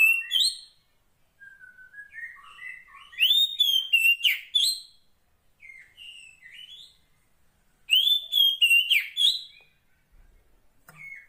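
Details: Female Oriental magpie-robin of the kacer poci type, wild, calling the male: bursts of loud, clear whistled notes sliding around high pitch with rough buzzy edges, separated by softer, quieter warbled phrases and short pauses.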